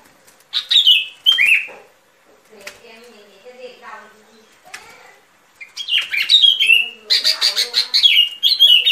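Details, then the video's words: Sooty-headed bulbul lure for trapping: two brief slurred phrases, a quiet stretch with faint murmuring sounds, then a rapid chattering sequence of bright, falling chirps to the end. "Tiếng Chim Bông Lâu Mồi Chuẩn Mp3 || Âm Thanh Đi Bẫy."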